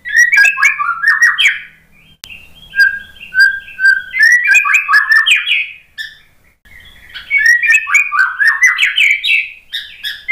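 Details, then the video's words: White-rumped shama after moulting, its song used as a lure to make a stressed, silent bird answer: fast jumbled whistled phrases in two loud bursts, separated by softer, sparser whistled notes. "MURAI BATU malas BUNYI, STRES PASCA MABUNG jadi ikut NYAUT ¦ PANCINGAN MURAI"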